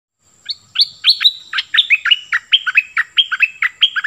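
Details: A Cream-vented bulbul (Pycnonotus simplex), kept as a decoy bird, sings lively: a fast, chattering run of bright, bubbly chirps at about four or five notes a second.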